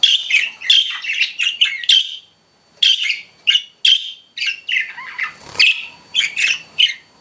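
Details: Pet budgies chirping: a steady chatter of short warbled and squeaky notes in quick bursts, with one brief pause near the middle, then more rapid chirps.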